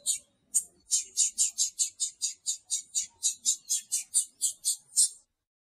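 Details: Female blue-black grassquit calling to drive the male wild. Two opening chirps lead into a steady, rapid series of about eighteen high, clipped notes lasting some four seconds.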